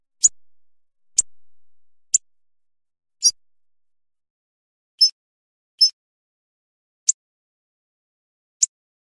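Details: Hawfinch calling with a series of eight short, sharp, high-pitched ticks spaced irregularly roughly one second apart, with nothing else audible between them.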